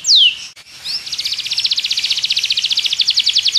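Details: Song of a Belgian canary used for training other canaries: one sharp descending whistle, a short gap, then a long, fast, buzzy trill pulsing steadily to the end.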